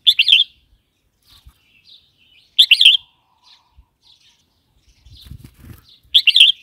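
Red-whiskered bulbul giving short, bright, bubbly phrases about every three seconds, with a few soft chirps between and faint low knocks.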